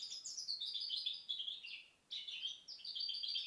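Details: Two fast twittering phrases from a goldfinch hybrid bred in 2010, bright high chirps and slurred notes separated by a brief silence.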